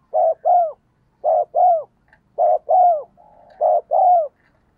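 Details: Lure recording of a spotted dove, meant to set wild doves cooing. Four two-note coos come at a steady pace, each a short low note and then a longer note curving downward, in a quiet background.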